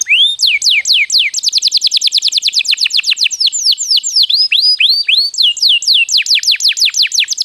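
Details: Canary singing to encourage other birds to sing: long series of loud downward-sweeping whistles, tightening into a fast run, then loosening into spaced, varied swoops.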